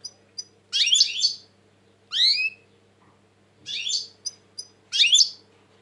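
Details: European goldfinch in a tense mood, 2020, singing four strong phrases: dense buzzy twitters and one clear downward-swooping slurred note, with brief high clicks between and a low hum behind.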